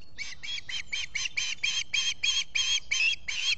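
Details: Osprey squawking at its nest at Salt Point in the Finger Lakes, US, on a July 2021 morning, recorded by a solar nest camera while its mate preens: a steady series of about twelve harsh, grating notes, roughly three a second.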